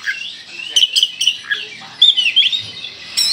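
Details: Singing Kalimantan-type Oriental magpie-robin, full 'tembakan' style: strong whistled notes repeated in short groups, slurred up and down, and a brief rich warbled phrase near the end.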